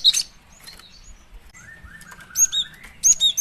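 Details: Female cinereous tit call used as a lure. A short, high chirping burst opens, then a quiet stretch with a lower, drawn-out whistle. It ends with two clusters of bright, sliding chirps.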